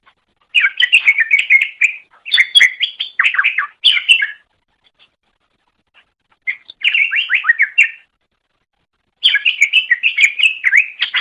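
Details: Training recording of greater green leafbird song: three energetic bursts of quick chattering and whistled notes, some sliding downward, separated by short silences.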